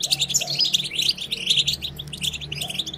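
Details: Twittering of European goldfinch used to stimulate other goldfinches to sing, a steady high jingling chatter of rapid tinkling notes over a low background hum.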